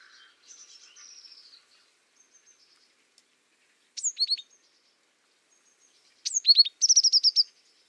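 Azure tit song: high thin notes dropping into short trilled, descending phrases, two bursts a couple of seconds apart, with faint softer calls before.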